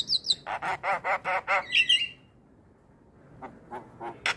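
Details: Starling song played as a lure to make silent birds answer and to attract other starlings. Harsh, rasping notes repeated rapidly, then a bright twisting whistle, a brief pause, and a few scattered clicks.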